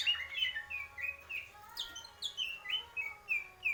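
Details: Greater green leafbird, purwo mendem gadong style, giving a rapid series of short slurred whistles, several falling then rising, repeated about three per second, with a faint low hum.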